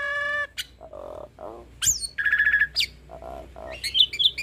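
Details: Hybrid starling in full, varied song, used as a tutor for other songbirds; a mix of nasal buzzy notes, harsh rasps, sharp rising whistles and a rapid chattering trill, with steady low background hum.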